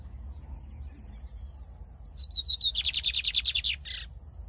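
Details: Lined seedeater, a cage bird kept by a breeder in Brazil, singing: a thin high rising series of notes, then a fast rhythmic run of about a dozen buzzy trilled notes, over a steady electrical hum.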